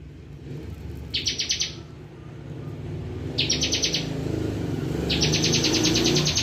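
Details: Three short bursts of quick, high buzzy pulses from a bar-winged prinia singing in 'bren' style, each burst about a second, over a steady low rumble of traffic.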